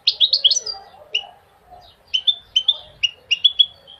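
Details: Goldfinch song meant to motivate males to sing and teach young goldfinches: bright chirpy twittered notes in quick clusters, with pauses between bursts.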